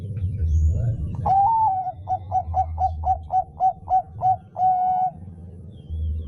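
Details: Bangkok-type zebra dove song, used as a lure to stimulate other doves: a long level coo, then about nine short clipped coos in steady rhythm, closing with another drawn-out coo; low rumbling hum underneath.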